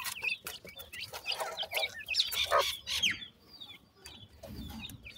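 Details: Partridge chicks in a forest give many thin, high chirps, rising and falling in quick overlapping bursts, with some broadband rustling and clucky notes in the background; partridge.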